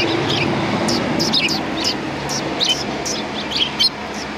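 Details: Sparrows greeting someone outside a cultural hall, 7 February 2020, chirp in quick high bursts through loud broadband background noise that fades out toward the end.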